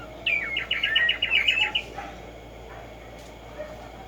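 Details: Black-striped sparrow, called Tumba Yegua, heard in the morning in nature: a quick series of about nine bright chirped notes near the same pitch, accelerating slightly, lasting under two seconds over a low steady hum.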